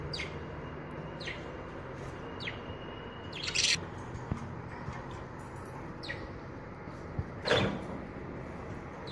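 Budgerigars give short, sharp chirps about once a second or two, with a few louder bursts, over a steady low background hum.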